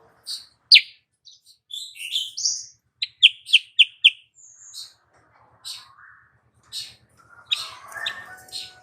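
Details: Female sooty-headed bulbul call meant to lure males and raise their breeding urge. Varied high chirps and short slurred notes lead into four sharp, evenly spaced chips. Softer twitters and a faint low hum follow.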